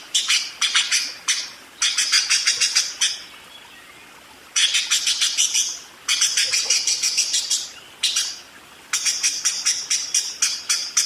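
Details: Budgerigar singing a rolling ngerol: repeated bursts of rapid, scratchy, high chirps lasting one to two seconds, separated by short silent gaps.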